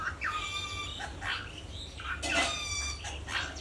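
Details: Yellow lutino rose-ringed parakeet, described as a talking parrot, gives level whistled notes with strong overtones held for about a second, then harsher broadband squawk bursts, over a steady low background hum.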